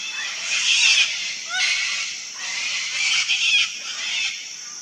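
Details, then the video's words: Harsh, grating screeches pour from a wild sulphur-crested cockatoo colony, several birds calling over one another in a dense wall of sound that rises in two loud surges. "Parrot colony - Sulphur-crested cockatoo (Cacatua galerita)"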